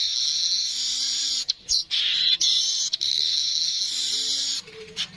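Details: Streaked weaver producing a long, harsh, high-pitched buzzing wheeze, cut by a few brief pauses and clicks, fading at the close.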